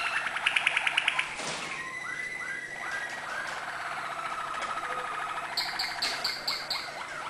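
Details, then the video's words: Malinois canary song with acute notes: a quick pulsed trill, a sweep, a series of rounded gliding notes, a long soft trill, then rapid repeated high chirps. "malinois singing acute notes"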